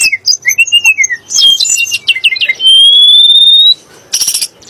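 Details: Sunda blue robin song used to stir magpie robins into singing: short warbled phrases and rapid notes lead into one long, steady, slightly rising pure whistle, then a harsh burst at the end.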